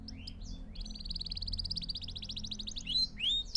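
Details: Canary song played for training young birds, a fast rolling trill of rapid repeated notes framed by sweeping whistled slurs, over a faint low hum.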